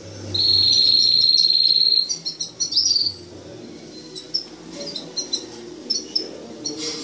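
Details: Canary song opening with a bright, even, high trill held for nearly two seconds, followed by scattered short sharp chirps and faint twittering notes spaced irregularly.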